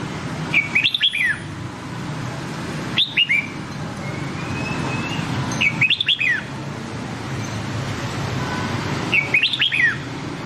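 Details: A red-whiskered bulbul sings in the Nam Đông voice used to train white-cheeked bulbuls: four loud, clear, bubbling whistled phrases about two to three seconds apart, with a soft rumbling background throughout.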